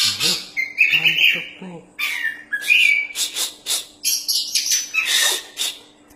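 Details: Champion Oriental magpie-robin (kacer) singing hard, meant as master song for other birds: a dense run of whistles, rasping bursts and quick chirps with scarcely any gaps, with some low murmuring in the background early on.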